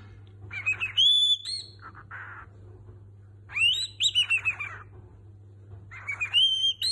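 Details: A cockatiel whistles snatches of familiar tunes, including La Cucaracha, in three bright, clear phrases with rising and falling notes, over a steady low electrical hum.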